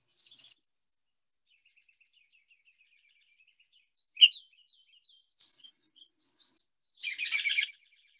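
Ruby-crowned Kinglet song: very high, thin notes and scattered chips that build into a fast, jumbled warbling burst at the end.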